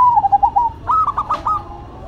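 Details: Zebra dove song from a duet of a local bird and a cemani bird: a short falling series of soft rolling coos, then a brighter burst of quick, evenly spaced cooing notes, clear and close.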